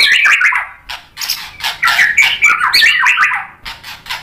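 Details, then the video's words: White-rumped shama in full song, used to provoke other shamas into answering: a rapid, dense run of varied chirps and slurred notes around mid-high pitch, with sharp clicks and bursts, delivered almost without pause. "MURAI BATU GACOR memancing EMOSI jadi BUNYI NYAUT BONGKAR MATERI ISIAN | PANCINGAN MURAI batu"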